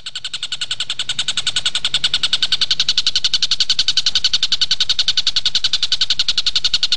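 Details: Tengkek buto kingfisher used as a training recording for captive magpie-robins: a continuous rattling run of harsh, evenly spaced notes, roughly three and a half per second, swelling in loudness over the first two seconds.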